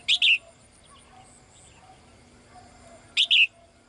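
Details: Female bird calling to a male: two loud double chirps, high and clipped, separated by about three seconds of near silence.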